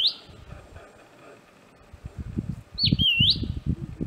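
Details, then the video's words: A very vocal Southern Scrub-robin (Drymodes brunneopygia), a mostly ground-dwelling bird perched metres away, gives a brief high whistle then a clear whistled phrase dipping sharply and sweeping back up, over low wind or handling noise. "An incredibly vocal Southern Scrub-robin"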